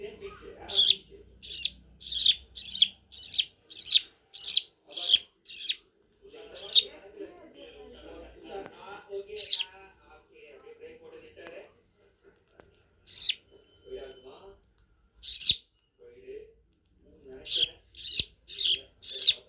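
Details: Budgerigar chicks being hand-fed give harsh, raspy chirps in quick repeated bursts as they beg for food.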